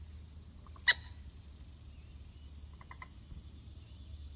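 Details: Common gallinule parent with chicks nearby at Cullinan Park gives one sharp, loud clucking note, then a few faint, soft clucks two seconds later, over a low steady rumble.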